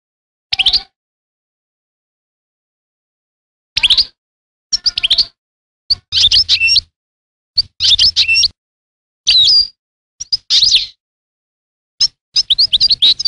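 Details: European goldfinch giving short twittering phrases spaced by pauses, each a quick cluster of sharp, tinkling notes, with a longer silence at the start.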